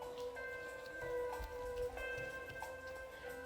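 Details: Soft music with bell-like tones and steady ticking like a clock, with no animal voices.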